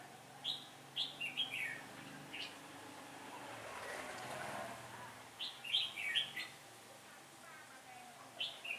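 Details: Caged red-whiskered bulbul acting as a trapping decoy, 15 October 2017 as the wind shifted: clusters of three or four sharp whistled notes, then a long pause with soft rushing background, then another cluster and a final note.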